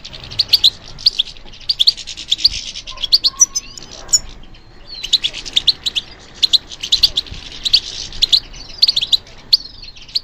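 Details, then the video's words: European goldfinch singing in captivity, kept and trained for song competitions; rapid bright twittering of short high notes in dense bursts, with thin buzzy slurred phrases between and brief pauses. "How to encourage the goldfinch to respond to stimulation"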